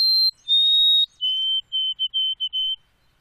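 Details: White-throated sparrow (Zonotrichia albicollis) song: pure whistled notes, a high one and a long slightly lower one, then a run of lower repeated whistles. No other sounds.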